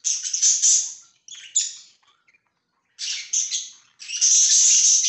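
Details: Pet budgerigars giving loud, bright, scratchy chirping phrases in two bursts separated by a short silence, ending in a sustained harsh squawk.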